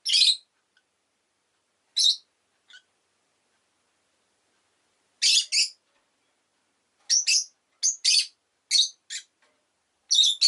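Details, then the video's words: Scattered piercing chirps from a rosy-faced lovebird, single at first, then a busier run of rasping notes between seven and nine seconds, separated by silent gaps. "Lovebird Chirping Sounds"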